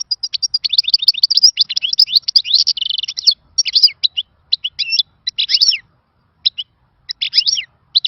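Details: Wild-style European goldfinch song: a rapid, tightly packed twitter of high chirps and buzzes. It loosens into separate sharp chirps and short phrases spaced by gaps, in a quiet setting.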